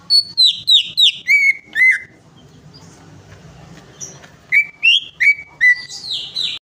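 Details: Greater green leafbird song used to trigger singing in a stalled bird: a rapid cascade of six ringing whistled notes dropping in pitch, a quiet gap of two seconds, then another descending whistled run ending in a rising flourish.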